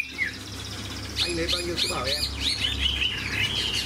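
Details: Caged Chinese hwamei with a fine voice. A lone short whistle comes first, then from about one second a busy stream of varied chirps and slurred whistles, with low background noise and faint voices.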